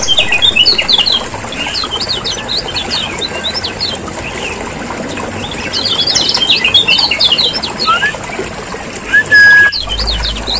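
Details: Lure recording of Lombok lemon-bellied white-eye: two dense bursts of rapid high twittering separated by quieter gaps, a rising slur and a short whistle near the end, then a low thump.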